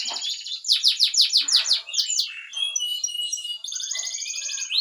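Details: Loud canary song of rapid descending repeated notes, then a sustained high rolling trill and a chattering buzzy passage.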